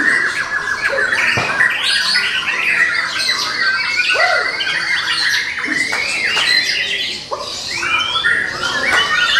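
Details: White-rumped shama, a young bird taken from the forest, singing a dense, varied torrent of rising and falling whistles, slurred notes and rapid chatter, almost without pause.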